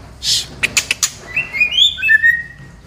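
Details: Female white-rumped shama from Medan, Indonesia: after a few sharp clicking bursts, a run of clear, sliding whistled notes, some rising, some level, overlapping in a short bright phrase.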